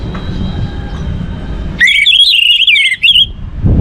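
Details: Orange-headed thrush, played to prompt other birds into song, gives a brief rapid burst of high twisting whistles and chirps lasting about a second and a half, after a stretch of low background hum.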